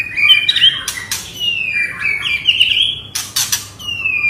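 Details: White-rumped shama singing non-stop in an agitated way to provoke other birds, with warbled whistles, long gliding notes and sharp harsh bursts over a hissy background.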